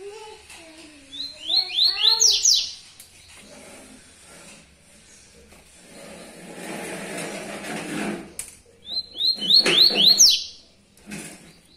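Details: Yellow-bellied seedeater in the tui tuí song style: two bursts of fast, rising whistled notes separated by hissing noise, with low murmuring sounds early on.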